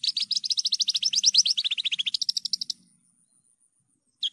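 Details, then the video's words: Energetic Javan bush lark song recorded cleanly as a lure and tutor track. A rapid run of about thirty high, sharp notes slides down and back up for nearly three seconds. Silence follows, then one lone chirp. "PANCINGAN/MASTERAN JERNIH BRANJANGAN GACOR...."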